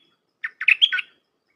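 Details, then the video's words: Red-whiskered bulbul, 'dok taeng' type kept for song, in a dense all-'dok' phrase meant to tutor young birds: a short note followed by a rolling run of loud, slurred, whistled notes. "เสียงนกดอกแตงEp.129เปิดหัดลูกป้อน/ลูกเสอ เพลงแน่นๆ สับดอกล้วนๆ"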